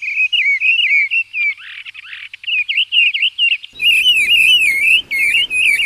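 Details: Mistle thrush on passage in 2020, singing a steady run of high, warbled and twittering phrases with a few dry, scratchy notes; faint background hiss comes in partway through.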